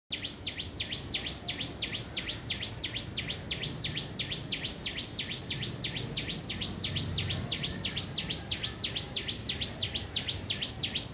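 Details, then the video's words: Small bird giving a siren-like call likened to an ambulance: high, thin notes sweeping downward, repeated steadily about three times a second for the whole stretch, with faint low background rumble. "small bird.... sounds like ambulance"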